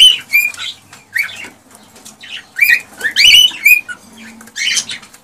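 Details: Excited male cockatiel singing to urge a female toward mating and breeding: short whistled notes and warbles, some bending up and down, in irregular bursts with quiet pauses and soft background clicks.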